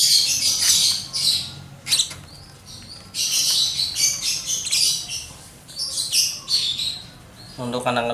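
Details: One-month-old lovebird chick begging as it is hand-fed: shrill raspy chattering in repeated bursts, with a short clear chirpy note at the very end.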